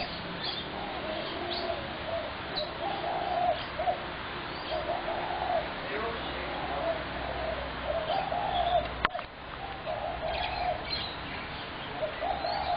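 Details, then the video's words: Spotted dove, 21 January 2017: repeated low mellow coo phrases every second or two over a constant noisy background, with scattered bird chirps and a brief sharp knock near the middle. "Spotted dove horrendous racket"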